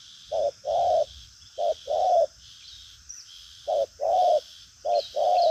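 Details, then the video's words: Spotted dove described as a strong cooer with a bustling manner, giving driving coos with a trailing finish: low hooting pairs, a short note then a longer one, repeated in bursts with pauses, over a steady high insect hiss. "Đồng pha chân cua cứng gù| Nết chơi lăng xăng, thúc gù có lèo"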